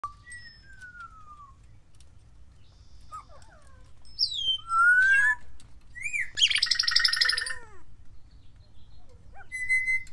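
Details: Pet Timneh African grey parrot learning to talk and mimic sounds: clear whistled notes, one long falling slur, a rising swoop, then a harsh broadband buzzy burst with stacked harmonics and a final short whistle.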